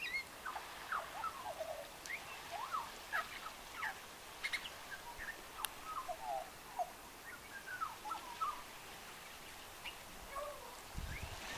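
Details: Male magpie singing for his audience, a quiet, varied warble of gliding, bending notes, some rising and some falling, with short gaps between phrases. Faint background hiss throughout and a low thump near the end.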